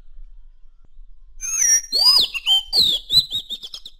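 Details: Madagascar magpie-robin song: loud, clear whistled phrases sweeping up and down, mixed with rich slurred notes and short rapid bursts, after a quiet start.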